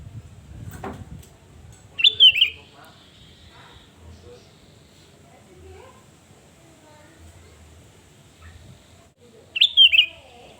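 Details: Sooty-headed bulbul song used as a provoking lure for rivals: two brief, fluty, warbling bursts about eight seconds apart, with a low thump at the start and faint background murmur.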